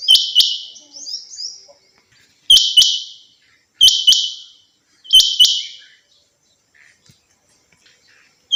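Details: A female rain quail (chinga batair) kept in captivity repeats her bright two-part call roughly every one and a half seconds, each part a sharp click followed by a ringing buzzy tail; faint chirps in between.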